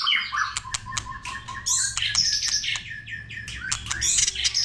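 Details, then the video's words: White-rumped shama singing in many voices, a recording used to stir shamas into song and tail-flicking: a fast varied stream of sharp clicks, chips and short whistled notes, with a steady low hum underneath. "Kích Chòe lửa hót nhiều giọng"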